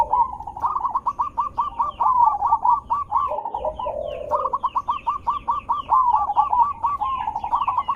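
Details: Zebra dove sound meant to lure other zebra doves into replying: long runs of rapid staccato coos, broken by a low purring trill near the middle.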